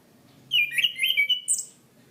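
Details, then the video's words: Orange-banded thrush (Zoothera interpres) singing loudly in a training recording for cage birds: a rapid run of clear whistled phrases, slurred and wavering, ending with a higher sweeping note, with faint low background hum. "Masteran Anis Kembang | Punglor Gacor Ngeplong Mantap"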